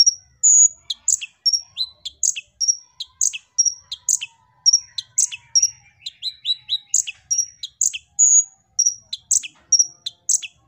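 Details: A Van Hasselt's sunbird, used as lure audio for other birds, sings an energetic run of thin, very high chirps and sharp tweets, about three each second, with no pauses and no other sounds.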